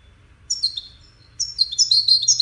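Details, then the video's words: One of five 'widaniya' European goldfinches competing in song: a short high twitter, a brief pause, then a denser run of bright chirps and slurred whistles, over a faint low hum. "مسابقة افضل تغاريد 5 حساسين ويدانية"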